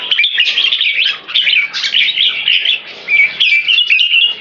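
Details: Caged competition red-whiskered bulbuls, one 3.5 years old and one about 6 years old, both champions known for frequent "keke" calls, sing a rapid, bubbly run of bright whistled and chattering notes.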